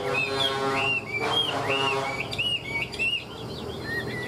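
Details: Caged, tame Chinese hwamei with ngũ trường song: short arched whistles repeated roughly twice a second, briefly masked by a broad noisy burst, then softer lower whistles.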